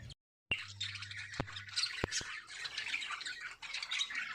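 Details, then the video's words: Breeding lovebirds keep up a dense, shrill chatter of squeaky, scratchy notes without pause, with a few sharp clicks and a faint low hum at the start. "Love Birds Singing"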